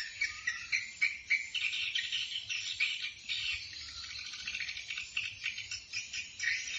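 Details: Swiftlets in Bình Định, Vietnam, give flock-gathering calls: a dense, high twittering chorus of rapid overlapping chirps, about three each second, with no other clear sounds.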